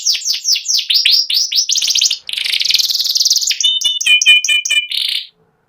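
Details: White panda canary singing ngeriwik: quick falling chips, then a dense buzzing trill, then pure whistled double notes repeated rapidly before the song stops.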